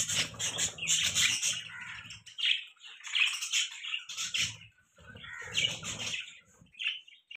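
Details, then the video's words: Pet budgerigars chirping, with busy overlapping bursts of high, scratchy warbles and squeaks in short phrases separated by brief pauses, over low rustling. "Beautiful Budgie Bird Chirping Sounds"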